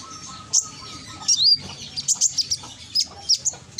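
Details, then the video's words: Konin singing in Gresik, East Java, as a lure to set other birds calling: crisp high chirps repeated roughly every quarter second after a brief slurred whistle, with a faint steady low tone underneath. "Pancingan konin yang malas bunyi langsung emosi ikut nyaut"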